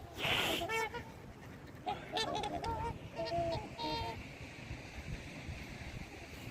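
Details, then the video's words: White swans on a lake full of birds in Canada on an evening, a child feeding them; short nasal honking trumpet notes in a loose burst over about three seconds, with a brief human voice at the start and background murmur. "White swans making trumpeting sound"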